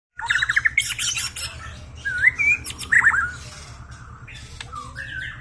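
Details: White-rumped shama song used as a lure to stimulate a shama that has stopped singing: fast trilled notes, then loud clear whistled phrases rising and falling, separated by short pauses, ending in a softer whistle over faint background hiss.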